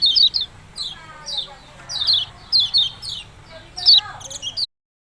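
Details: Yellow-bellied prinia calls with steady series of sharp, downslurred chirps, some paired, before the sound cuts off abruptly.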